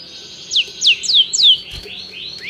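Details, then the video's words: Canary calling its friend to sing during song training: four clear descending whistled slurs about a third of a second apart, followed by softer rising notes over a quiet background. "Canário chama o amigo para cantar - treinando canto de canário"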